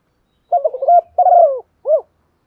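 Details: Spotted dove decoy bird giving a practised 'thúc gù' coo meant to provoke other doves to call: a single low, hollow phrase of a stuttering note, a drawn-out falling coo and a short final note, with a clean, quiet background.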